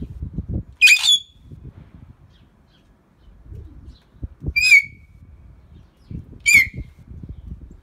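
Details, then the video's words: Greater hill mynahs from a talking pair make three spaced calls. The first is a harsh squawk with a whistled tail, and the next two are shorter, clearer whistled notes about two seconds apart. Low rumbling noise runs beneath. "Talking greater hill mynah birds"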